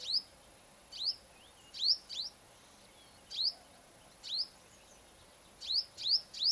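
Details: Female purple-rumped sunbird singing in the morning at a home: thin, sharp, high chips, single or in quick pairs, at an uneven pace of about two to three a second, over a faint steady high whine.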